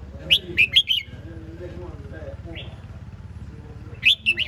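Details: Red-whiskered bulbul giving a quick three-note chirpy phrase, a soft lone whistle, then the start of another phrase, over a low rumbling background.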